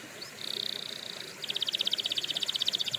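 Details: Canary song offered for training canaries: a steady high whistled note, then a fast, even rolling trill of clipped notes that runs on to the end.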